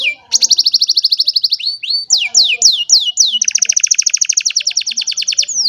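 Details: Sunny-morning song of an old canary on a cellphone: a rapid even trill, a few slurred whistles, then another long fast rolling trill.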